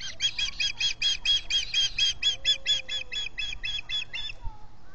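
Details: Osprey calling at a nest in the Finger Lakes, US, with three birds present, on 19 July 2021, via a solar-powered nest camera; about twenty loud, sharp piping chirps in an even, fast series, with a soft low whistle underneath.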